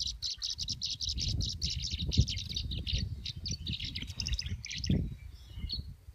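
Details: Tree swallow flock converging on 19 August 2015 at Parker River National Wildlife Refuge, Plum Island, Massachusetts: dense bright, liquid chirps and twitters, mixed with app-played swallow calls, over steady low wind rumble.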